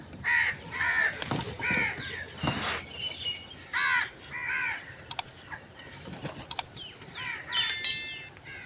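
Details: Crow giving a series of harsh caws, followed by sharp clicks and a brief high chirping from another bird near the end.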